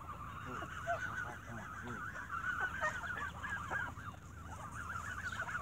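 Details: Evening feeding of geese with bread brings squabbling: rapid, jostling honks from many birds, roughly three or four calls a second, overlapping in an uneven, chattering din.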